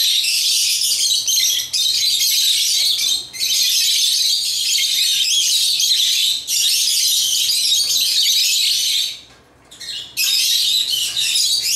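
Lovebirds chatter in a dense, high-pitched stream of rapid squeaky chirps, broken by a few brief pauses.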